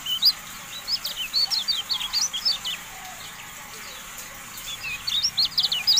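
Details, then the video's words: Javan white-eye from a tutoring recording for cage birds, giving choppy, high chirped phrases with brief pauses between chattering runs. "MASTERAN TERBARU KECIAL KUNING"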